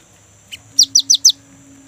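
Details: Short burst from a young great tit used to lure kept birds into song: a soft lead-in note, then four loud clear downward-slurred whistles in quick, even succession, with a faint steady hum in the background.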